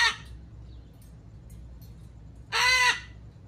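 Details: Amazon parrot giving a loud, harsh, raspy squawk lasting under half a second, preceded by the tail of a similar squawk at the start; otherwise quiet with faint low background hum.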